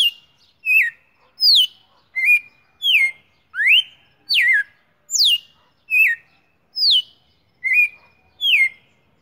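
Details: A Red-cowled cardinal, recorded on 19 September 2019, sings clear, slurred whistled notes, mostly falling, about one every three-quarters of a second in a steady series; no other sounds.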